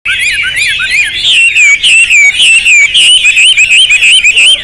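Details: Hwamei singing a loud, rich song: rapid slurred whistles sweeping between about two and four kilohertz, repeated in quick bursts roughly three per second, with high overtones and a fairly clean background.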